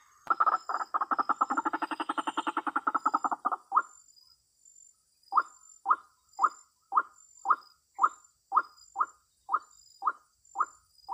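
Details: Ruak-ruak, the White-breasted waterhen, calling at a trapping site: a rapid chattering burst of harsh pulses, a short pause, then single abrupt notes spaced about half a second apart.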